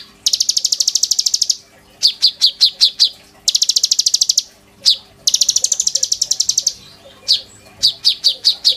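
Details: Van Hasselt's sunbird in lively full song, mimicry-rich, used as a lure and master song for training: very high, rapid metallic trills about one and a half seconds long alternate with sharp, spaced, downward chips.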